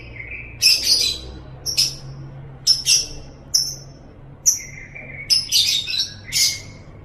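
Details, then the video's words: Lovebird sounds for training caged birds: a series of sharp, high squeaks and short chattery bursts at irregular intervals, with thin, lower sustained whistles between them, in a quiet background. "Masteran Suara Burung Love Bird 7"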